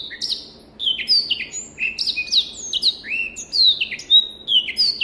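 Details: A black-throated canary kept in a private collection gives a continuous, rapid warbling song of sweet downslurred whistles and sharp high chirps, steady and clean with almost no background noise.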